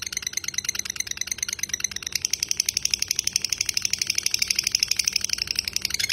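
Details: Lovebird long ngekek for tutoring: a fast, high chatter that is fainter at first, then grows louder and steadier, with rapidly repeated notes continuing to the end.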